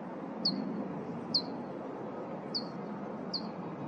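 Abert's towhee giving four sharp, high, downslurred 'peek' notes about a second apart, over steady low rushing background noise.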